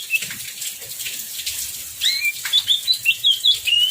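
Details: Oriental magpie-robin singing in heavy rain: rain hiss and rustling at first, then a string of quick clear whistled notes and slurs in the second half.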